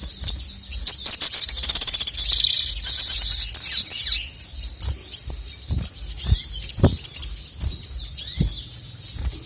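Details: Provocative song of a male crested jay: long bursts of dense, high buzzy trilling, then quieter scattered chirps and soft clicks.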